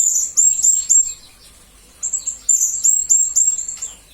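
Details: Blue-crowned hanging parrot (serindit), used as a master recording for training magpie-robins and green leafbirds, giving rapid, very high, thin chirps in quick runs, a short pause, then another fast burst of sharp tweets.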